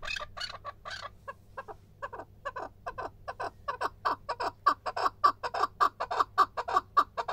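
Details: Calling male chukar partridge: chuck notes begin sparse and quiet, then quicken and swell into a loud, even, pulsing series.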